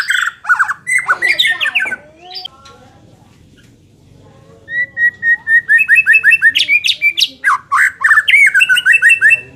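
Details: Loud, varied song of a White-rumped shama, used to make a less aggressive bird more competitive: rich whistled and chattering phrases, a short pause, then a long run of rapidly repeated rising whistles with harsh accents.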